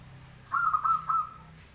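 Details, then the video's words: A local zebra dove sings a brief cooing phrase: a purring first note followed by two rounder coos, all on one low pitch, with quiet low hum behind. "perkutut gacor lokal"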